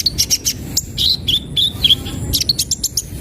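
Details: Kolibri ninja sunbird singing an isian-style song: fast high-pitched twittering, short sharp chips and squeaky whistled notes in quick irregular bursts, several notes each second, very close and loud.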